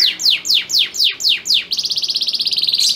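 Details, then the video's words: Male canary in a breeding setup sings to excite a hen ready to mate; five loud descending sweeps at a steady pace, then a quick, high, even trill of short notes. "Kenari Super Gacor Betina Birahi Langsung Ngleper"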